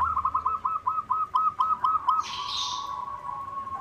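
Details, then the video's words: White zebra dove (perkutut putih) giving a quick run of about ten soft, mid-pitched rolling coos in two seconds, then a steady low tone with a brief hiss; a song used to stimulate other zebra doves. "SUARA PERKUTUT PUTIH GACOR irama bagus, untuk pancingan semua jenis perkutut"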